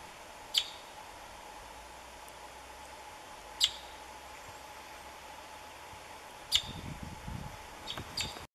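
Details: A single Oriole Blackbird in the Orinoquía foothills at Cubarral, Meta, Colombia gives single harsh, scratchy call notes roughly every three seconds, over a steady high drone and a faint low rumble near the end.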